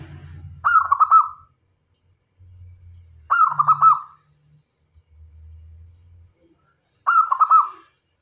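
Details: Local zebra dove singing to draw in other doves: three warbling, stuttering coo phrases at steady intervals of roughly three seconds, each trailing off evenly, with a low mechanical hum between them.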